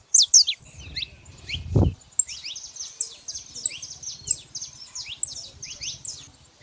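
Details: Wild saffron finches gathered in nature: a loud burst of close chirps opens, then a thump near two seconds, followed by rhythmic repeated downslurred chirps from several birds over faint low background noise.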